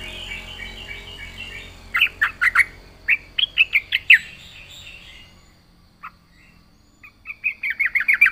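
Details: Gacor full-isian song of a yellow-vented bulbul: choppy runs of sharp bubbly notes, a burst around two seconds, a gap, then a fast rolling trill of repeated chirps closing the phrase, quiet background.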